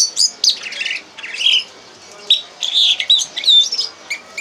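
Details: Red Crossbill (Loxia curvirostra) teaching song: a high, varied string of sharp chips, squeaky whistles and short warbled phrases, coming in quick bursts with brief pauses between them.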